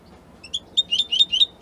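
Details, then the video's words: European goldfinch from Italy giving a brief, fast string of liquid, twittering chirps, each note slurred up and down in a bright, high register. "من أقوى تغاريد طائر الحسون الجميلة الحسون ايطاليا"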